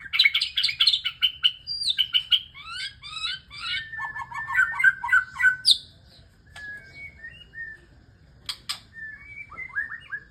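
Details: Male white-rumped shama courting a female: a rich, fast song of bright whistled and chattering phrases, rapid trills early on, then sweeping slurred whistles and sharp clicks, separated by short pauses.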